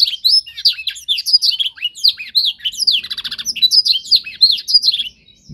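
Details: Canary in a singing-training season for young birds learning a master song: a rich, rapid warble with buzzy trills and sliding whistles for about five seconds before it stops into near silence.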